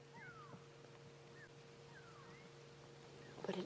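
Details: At sunrise on a June 19, 2016 safari drive, go-away-birds give faint, nasal, drawn-out downward-sliding calls about every half second over a vehicle engine hum, ending in a louder knock; not frantic, not an alarm, but contact calls between two or more birds.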